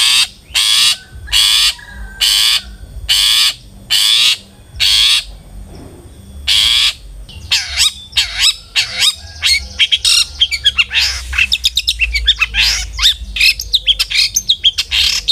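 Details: Long-tailed shrike lure for encouraging caged birds to sing: six loud, even, grating bursts, then a dense, fast chatter of varied scratchy notes and thin whistles.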